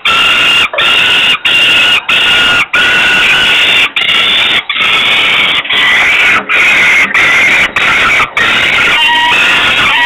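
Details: Falcon chick in Włocławek, Poland, begging from hunger on 27 May 2022 at 20:06 while her father arrives with food; a long run of drawn-out, strained cries, some rising or wavering, separated by short gaps.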